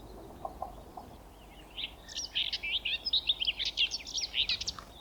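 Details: A Common Whitethroat singing from a bush at Thurrock Thameside Nature Park gives a brief, fast, scratchy warble of jumbled high notes lasting about three seconds, over a low background hum.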